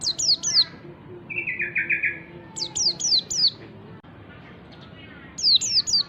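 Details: Wild white-eye singing as a lure for other white-eyes: a few high descending chirps, then a buzzy, slightly falling trilled phrase, another run of four sharp chirps, a quiet gap, and three more chirps.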